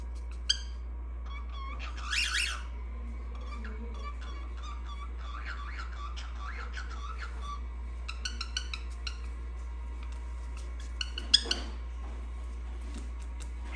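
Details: Cockatiel (Nymphicus hollandicus) gives short, scratchy chirps and brief whistled notes over a steady low hum.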